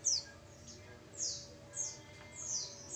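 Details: Oriental white-eye, described as a female lure call, giving sharp high descending chirps repeated roughly every half second, with a faint background hum.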